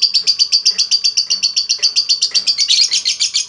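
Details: Lovebird in a long 'ngekek' trill meant to lure other lovebirds into singing: shrill, high chirps repeated steadily about four per second throughout, growing slightly louder and denser near the end.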